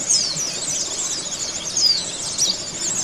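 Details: Oriental white-eye therapy recording, played to make kept birds sing readily and open their beaks: a dense, continuous chatter of high, thin twittering notes and quick rising and falling whistles, several birds overlapping with no pauses.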